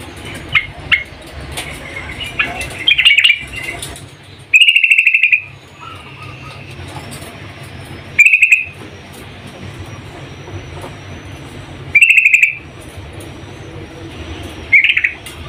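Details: Yellow-vented bulbul female calling a male, short bright trilled bursts spaced several seconds apart over a faint background hum, each phrase brief and rattling, with softer chirps early on.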